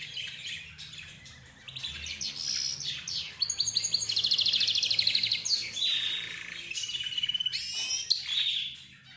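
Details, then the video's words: Cage birds in chorus, among them budgerigars, zebra finches, roz birds and a lead-singing canary: long rich warble with rapid rattling trills and sweet whistled phrases, overlapping chirps from other birds. "حديث الطيور"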